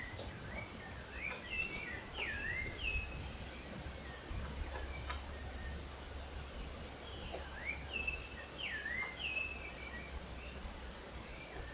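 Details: A young Blond-crested Woodpecker, judged a baby by its size and dull colours, gives short, slurred chirps in two quick bursts several seconds apart over a steady high insect drone and low rumble.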